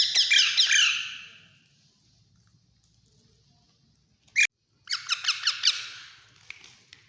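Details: Hand-fed Alexandrine parakeet babies begging with loud, harsh, grating rasps in pulsing bursts. A pause follows, then a single sharp click, then another stretch of rhythmic raspy chatter that fades away.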